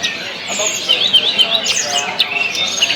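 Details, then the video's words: Tledekan song used to stimulate other birds into singing: a dense, fast stream of high, sweet whistled and chirped notes, with rapid slurred phrases repeating several times a second and continuous background chatter. "tes burung tledekan anda dgn video ini pasti langsung gacor"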